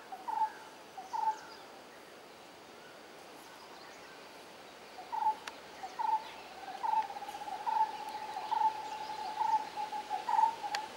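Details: Jungle babbler in Rishikesh, Uttarakhand, India, in May, giving short, mid-pitched nasal notes: two early, then a run of about eight repeated every half second or so, over a faint steady background hiss.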